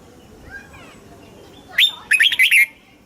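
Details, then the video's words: Thai red-whiskered bulbul singing in the southern master-pattern style used to rouse caged birds and train chicks: after faint distant twitters, one short sharp note, then a fast burst of four lively whistled chirps near the end. "เสียงนกกรงหัวจุก สำหรับต่อ หรือ เปิดให้นกคึก"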